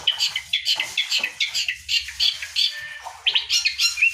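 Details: Long-tailed shrike singing to encourage other birds, with busy chattering and chirping notes packed closely together, scratchy and varied, ending on a short upslurred whistle.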